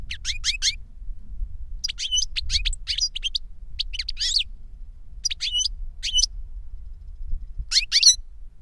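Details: Twittering goldfinch song, an older bird teaching a younger one: clustered bright chirps and short buzzy phrases, with brief gaps between bursts.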